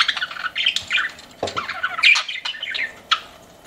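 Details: Pet budgies giving scratchy chirps and short warbled phrases, with occasional louder squawks among softer twitters.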